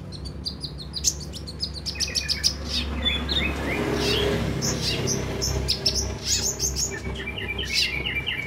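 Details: Recording for encouraging caged brown-throated sunbirds to sing readily: busy high twittering of quick sharp chirps and brief whistled slurs, ending in a run of short descending notes, with a low continuous hum beneath.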